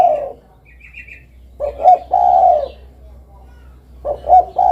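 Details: Spotted dove giving two low cooing phrases, each two quick notes followed by a sustained mellow coo, with faint high chirps from another bird near the start.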